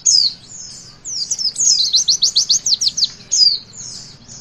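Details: Javan white-eye song intended to prompt young birds to sing: high chirps, then a fast series of crisp descending notes, ending with a couple of thin whistled phrases.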